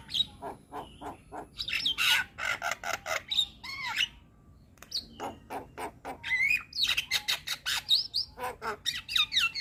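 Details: Javan myna in full, varied song for training young mynas: dense harsh chatter and clicks, a short quiet gap, then mixed squeaky whistles and rasping notes repeating rapidly to the end.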